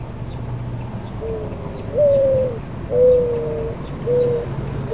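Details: A Mourning Dove at its nest while hatching and raising young gives its full coo: soft, hollow, low breathy notes that swell and fade, about one per second, over faint background hum.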